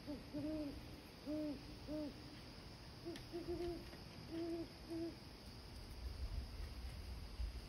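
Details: A male and female Great Horned Owl call to each other, trading deep, soft hoots: one bird gives a run of three, then the other answers with a choppier run of four or five.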